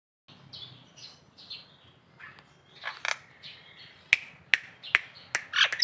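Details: Local Nias hill myna from Indonesia, recorded as tutor song for training other birds: several short clear whistles, a louder burst of mixed notes, then loud sharp clicking snaps with whistled phrases.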